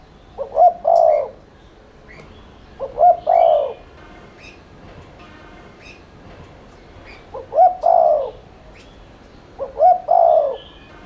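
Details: Spotted dove giving continuous 'thúc liên thanh' coos, used as a lure to start doves cooing. Four low phrases, each a short double note and a sustained croo, separated by pauses of several seconds. Faint chirps in the background.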